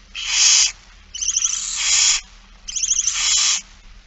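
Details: Begging barn owl at a feeding on 8 September 2019, 16:02: three harsh, breathy hisses of roughly half a second to a second each, separated by short pauses.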